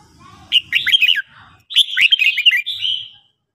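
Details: Trained red-whiskered bulbul in morning song delivers two tumbling phrases of clear, slurred whistles, the second ending in a drawn-out note. A low murmur sits in the background.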